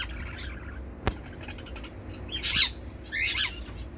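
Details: Zebra finch pairs flying in a mixed outdoor balcony aviary in a Dubai flat; two loud nasal, buzzy calls sound about a second apart near the end, over faint chirps, a sharp click and low background hum.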